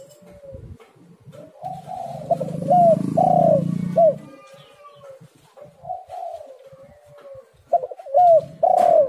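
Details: Spotted dove, called tekukur or derkuku, played as a lure to make doves call: loud hoarse coos around 600–700 in short phrases, bursts near three and eight seconds, with quieter cooing between and a low rumble beneath.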